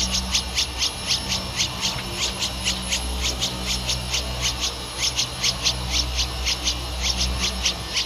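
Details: Thirteen-day-old Streak-eared Bulbul nestling in Ubon Ratchathani, Thailand, 15 April 2023; brief high squeaky notes are repeated steadily, about three each second, without pause, over a constant low hum.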